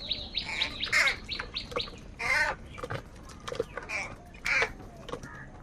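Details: Crows fighting for food, several calling at once in a noisy tangle of short, harsh, grating caws and squawks that overlap throughout, with louder bursts near the start, midway and near the end.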